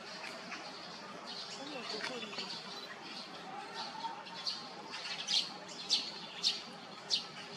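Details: Great spotted woodpecker, parent with fledgling while raising young in Hyochang Park: faint scattered high notes early, then sharp, short high kik notes in the second half, about one every half-second, over low background hum.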